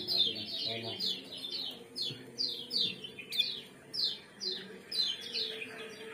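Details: Quieter lemon-bellied white-eye chirps, in a 'ciak-ciak' combination used to stimulate breeding condition: single high downward-sliding notes repeated about every half second, steady and spaced, with soft background noise.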